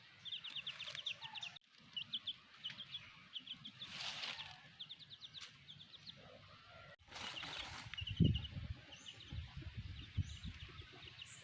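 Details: Chicks of a black hen peep in rapid high series, interrupted by two broad rustling or handling noises and a deeper low sound, with general outdoor noise throughout.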